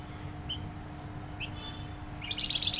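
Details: Flamboyan bird with a loud, dense voice: two brief high chirps, then a rapid bright trill of closely spaced notes at the end, low hum in the background.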